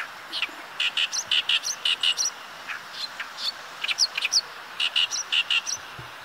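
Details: Oriental reed warbler by a river in northern Harima, Hyogo, Japan, on a lightly overcast day, singing while deftly catching passing insects: a loud, harsh chattering song of grating chirps and squeaky notes, about three per second in uneven bursts.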